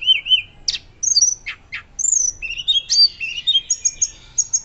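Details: Hill blue flycatcher belting out its fluting song as a tutor recording for other birds: wavering high whistles, a few steep downward sweeps, then a busy stretch of warbled, bouncing notes.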